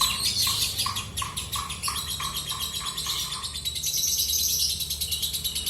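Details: Kept lovebird's ngekek song: a quick series of short lower notes repeated about three times a second under constant shrill twittering, the twitter carrying on alone afterward.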